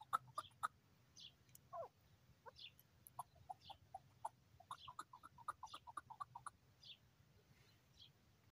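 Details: Chukar partridge, a male in high spirits, sings out a rapid string of mid-pitched chuck notes that trails off, while small birds add brief high chirps over faint low-frequency hum.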